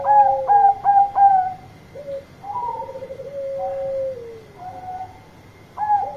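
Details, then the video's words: Bangkok-type zebra dove (perkutut) singing loudly to call its companions: three clear, ringing cooing notes in quick succession, then a long, low, rolling purr that slides downward, with a higher coo at the end. "Perkutut Bangkok Gacor Suara Keras Panggil Teman"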